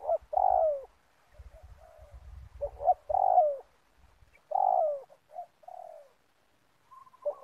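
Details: Spotted dove luring birds for trapping in a community oil palm plantation, repeating mellow falling coos preceded by short stutters, with low rumbling thumps underneath in the first half and a soft higher note near the end.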